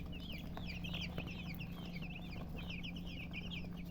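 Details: Baby chickens, a group of chicks, giving a busy chorus of high, short peeps. Each note is quick and slurred, often falling in pitch. The notes repeat rapidly and overlap the whole time, over a steady low electrical hum.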